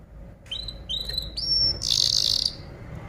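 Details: Canary master song for tutoring other songbirds, with three short rising whistled notes followed by a loud, fast, dense trill lasting about half a second.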